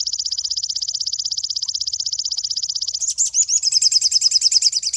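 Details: Cinereous tit (sogon) used as master song for training songbirds: a dense, buzzy high trill held for three seconds, shifting into a slightly slower, rising and falling run of sharp repeated notes.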